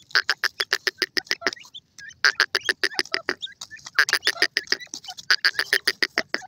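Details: Calling grey francolin, the Canadian grey teetar. Loud, harsh, rasping notes come in quick rhythmic bursts of about three per second, broken by a short pause. Faint chirping of other birds sits underneath.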